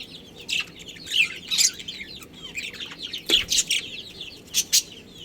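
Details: Pet budgerigar colony including a breeding pair: scattered bright chirps and short warbling bursts that come in loud clusters between quieter chatter.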